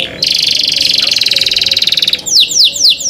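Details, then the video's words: Canary in cenkok-style song, a clear canary song: a fast, even, buzzy trill of rapid repeated notes for two seconds, followed by three loud descending whistled sweeps. "LUXURY CENKOK CANARI SOUND, CLEAR SOUND"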